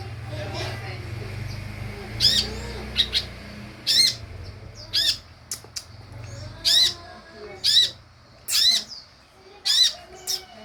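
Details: Sunbird lure playback to entice answers: short, sharp, high-pitched chips about once a second, some doubled, over a constant low engine-like hum and faint softer calls in the background.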